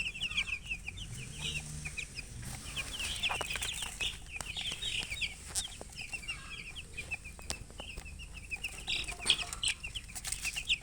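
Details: Chicks of domestic chicken give a steady stream of high, quick, downslurred peeps, partly blurred by a noisy background of hiss and scratching.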